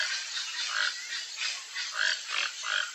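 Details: A Toco toucan, one of a pair foraging for fruit in Brazilian riparian forest, gives hoarse, croaking grunts, a few about a second apart, over a steady hiss of insects.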